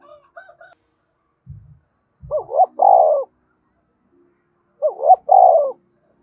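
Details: Spotted dove calling, played to stir and train decoy birds for trapping: two coo phrases about two and a half seconds apart, each a quick double rising note then a long, slowly falling coo; a few faint soft notes and thumps before.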